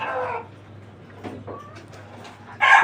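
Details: Laying deshi hens on a farm: a raspy call opens, followed by quiet with a few faint clucks and clicks, then another loud, harsh note bursts in at the very end.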